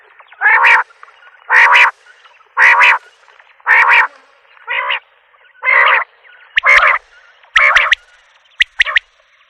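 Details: Common quail repeating coarse, nasal blocks about once a second, then switching to quick, sharp triplet notes near the end.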